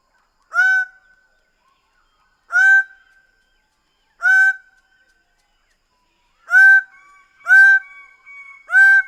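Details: Greater bird-of-paradise repeating loud nasal honk notes roughly every two seconds, quickening to three calls close together at the end, with a faint sustained tone between them.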